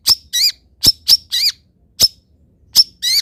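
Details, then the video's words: Long-tailed shrike tutor song: sharp high ticks paired with nasal, bending squeaky phrases, repeated in short clusters with brief gaps. "MASTERAN CENDET ANTI GAGAL - CENDET MANAPUN IKUT BUNYI DENGAR INI"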